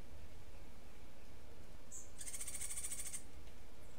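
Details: Cuban grassquit singing in the rare martillito style, a song it picked up: one short high note, then a dense buzzy rattle of rapid pulses held for about a second, over a steady low hum.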